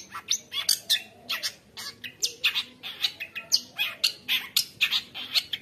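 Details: Long-tailed shrike singing a continuous chattering song filled with imitations, meant as tutor material for young shrikes: an unbroken stream of harsh, scratchy high notes with occasional sharp squeaks, several per second.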